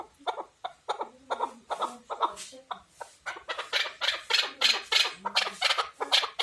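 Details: Chukar partridge, described as a hunting partridge, giving a rapid run of harsh, clucking chuk notes, about three a second, that grow louder and denser toward the end, with a few low murmurs beneath.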